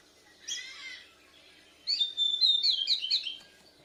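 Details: Bornean white-rumped shama practicing song while answering a lure recording, chest puffed; a short buzzy burst, then a second of quiet, then a high rapid warbled phrase of thin whistles.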